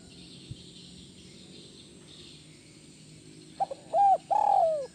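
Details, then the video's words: Captive spotted dove, call played to calm stressed doves: about three and a half seconds of quiet hum, then two soft pips, a held coo and the start of a long falling coo. "Atasi Stress... Pada Burung tekukur Anda"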